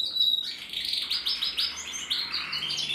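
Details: Red-black mosaic canary cock, bred in 2024, singing a fast bright song: a clear whistled note, then rapid chirping trills in repeated bursts.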